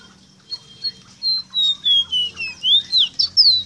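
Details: Ruddy-breasted seedeater tutor song for training captive birds. Separate whistled notes step downward in pitch, then turn into fast, looping upslurred notes, roughly a dozen in under four seconds, over a faint low hum.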